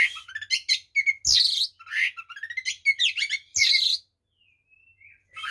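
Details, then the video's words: Kacer, the white-rumped shama, singing a busy full song to provoke other shamas: rapid chattering notes, buzzy bursts and whistles packed together, then a soft thin wavering whistle after a pause. "SUARA BURUNG kacer gacor TARUNG FULL ISIAN ini PALING AMPUH MEMBUAT KACER EMOSI"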